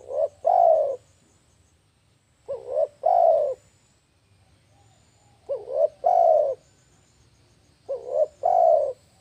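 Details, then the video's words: Lure call of a spotted dove for bird trapping, a low three-note cooing phrase of two brief notes and a longer falling coo, given four times roughly every three seconds over a soft background rumble. "SUARA AMPUH TEKUKUR PIKAT AUTO NGAMUEKK..!!!"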